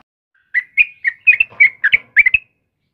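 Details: Yellow-vented bulbul, kebo type, singing actively in the morning. Bubbly, liquid notes come in a quick series of about nine, some doubled, with faint low thumps in the background.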